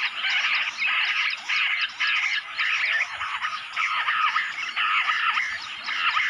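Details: Bush quail in jungle, attracted by sounds from a mobile phone, call together in rough, chattering bursts, each lasting under a second and separated by brief lulls, over faint low background rumble.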